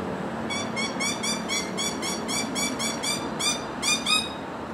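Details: Rainbow lorikeets from Australia chattering in a steady burst of short, grating notes, roughly four per second, with a brief pause before a final few; low background hum throughout.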